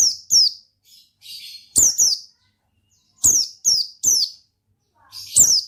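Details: Oriental white-eye in lively ngalas song, gacor style: paired high downslurred chirps alternating with a short buzzy rasp, then a steady run of four falling chirps and a final strong note.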